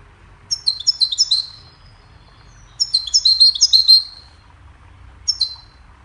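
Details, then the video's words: Goldfinch song meant for training songbirds: two bursts of rapid, high, liquid twittering notes tumbling downward, then a short chirp at the end, with quiet gaps between phrases. "Goldfinch sings a cheerful melody to teach the birds goldfinch chirping"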